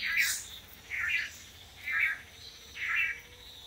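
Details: Long-tailed manakin males performing courtship display on a lek in Costa Rica, taking turns in pairs: four buzzy, nasal notes repeated about once a second over soft forest background hiss.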